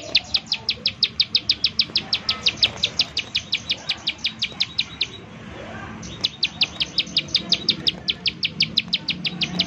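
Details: Bar-winged prinia calling in fast 'nembak' style, used as a lure to provoke other prinias into song: a string of high chips at roughly three per second, a pause of about a second near the middle, then the series resumes.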